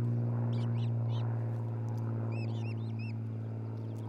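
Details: Nesting osprey couple at Charlo, Montana, caught on a nest cam in late June 2018. Quick bursts of thin, rising chirps come in small clusters of three or four over a strong droning low rumble.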